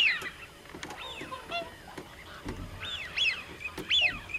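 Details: Many common cranes trumpeting, with separate rising-then-falling bugled calls spaced about a second apart. Quieter overlapping calls run between the louder ones, and a few sharp clicks are heard.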